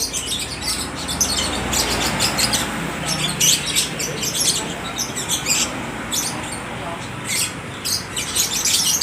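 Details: Caged lovebirds at a bird market in Aceh Tamiang, Indonesia, answering one another in a nonstop stream of sharp, high-pitched twittering chirps over a low background rumble.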